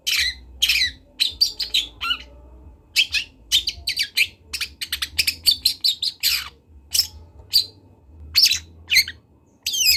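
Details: A young long-tailed shrike from Kendal practises song as a stream of sharp chirps, scratchy notes and a few falling whistles, delivered in quick clusters with brief pauses, with a low background hum.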